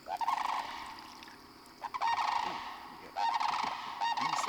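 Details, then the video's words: Six sandhill cranes flying in after sunset at Glen Hills, St. Croix County, Wisconsin, give loud, rolling, trumpeting rattles in three overlapping bursts of about a second each, heard from a kayak; a faint voice between calls. "The six sandhill cranes flew in with great and loud fanfare"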